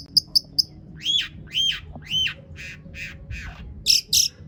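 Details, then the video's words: Long-tailed shrike song packed with mimicry, played as a lure to set other shrikes singing: three short high clicks, then harsh buzzy descending notes repeated about every half second, ending in high scratchy bursts. "cendet gacor PANJANG BONGKAR ISIAN untuk PANCINGAN CENDET AGAR BUNYI bikin BURUNG PENTET GACOR"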